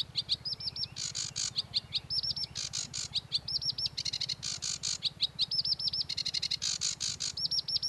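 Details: Male-style chattering song of a sedge warbler, alternating scratchy buzzing bursts, sharp ticking notes and repeated looped whistles in quick varied sequences, over a constant low background hum.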